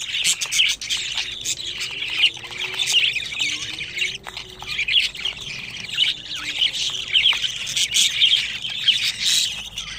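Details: Pet budgerigar chicks aged 25 days chatter nonstop for ten seconds. Harsh, grating squawks and thin chirps pile on top of each other, with a faint low hum underneath.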